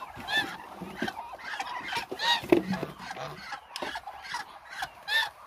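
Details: A hungry flock of about a thousand Muscovy ducks, heard as a dense chorus of overlapping short, harsh, harmonic squawks and honks, with louder bursts every second or so over a constant background murmur of many birds.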